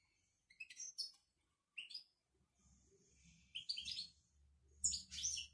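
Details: Moroccan European goldfinch song: bursts of high twittering and tinkling notes with quick chirps and a thin sustained whistle, phrases separated by short pauses, faint low rumble in the background.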